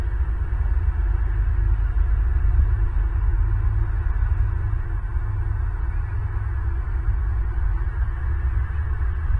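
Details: A steady, loud low-pitched hum fills the whole recording, with no bird or other animal calls standing out.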